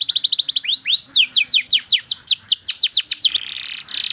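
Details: Canary song in fast, emotive series of high downward-sweeping chirps, about two or three each second, ending in a buzzy sustained trill.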